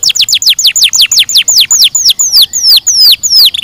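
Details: Canary delivering a steady string of sharply descending chirps, about five per second. The notes gradually lengthen into broader swooping whistles near the end.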